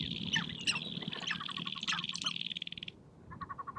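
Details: Sharp-tailed grouse gathered on a prairie hilltop in spring, dancing and fighting to attract females: quick clucking and chattering notes over a steady high buzzing hiss, ending with a short run of evenly spaced pulsed notes.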